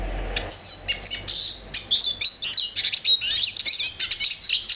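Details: Eurasian siskin, a small woodland bird, in a rapid, continuous twittering song of high, thin chirps and short trills, with slurred notes packed closely throughout and no other clear sounds.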